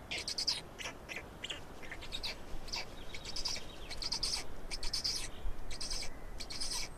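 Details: Black storks in Estonia during feeding on 16 May 2019, with dense runs of short, harsh, broadband bursts repeated rapidly through the whole stretch. Faint thin whistles from other birds sound in the background.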